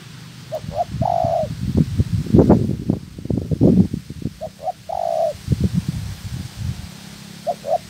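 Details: Spotted dove kept as a trap decoy in training, giving short cooing phrases of two quick soft notes and a longer mellow coo, partly masked by loud low rumbling and thumping handling noises.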